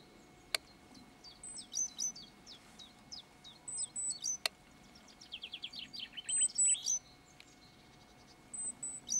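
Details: A great tit gives a rare communication call: thin, high, sharply downslurred notes in loose bursts, including a quick descending run and a few very high pure whistles. Two sharp clicks are also heard.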